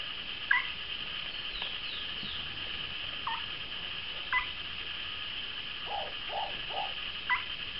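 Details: A pair of Moustached Turcas, apparently courting, give three low, hollow hoots about half a second apart, with scattered brief sharper notes over a steady high insect-like hiss.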